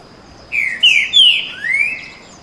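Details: Two green-winged saltators singing boi song in a dueling bout: four rich, slurred whistled phrases in about two seconds, sliding down then up at a clear mid-high pitch, over a faint steady hiss.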